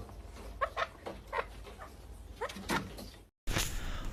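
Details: A partridge in early spring gives a run of short, harsh, clucking notes, several per second and rising in intensity, before a brief cut and a burst of rustling noise.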